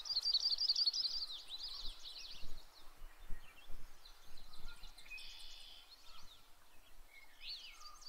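Yellow-rumped Warbler gives a high, loose warbled trill lasting about a second and a half, followed by scattered thin chips and short phrases over low rumbling background noise.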